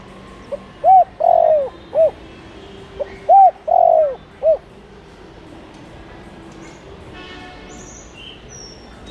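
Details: Spotted dove giving two quick cooing phrases to lure wild doves, each with a rounded coo, a long sliding coo and a brief tail note, followed by several seconds of quiet background.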